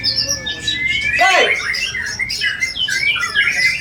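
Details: Mimicry-rich song of a white-rumped shama, sharp and piercing: high whistled notes lead into a loud rasping burst, then a stream of quick twittering phrases.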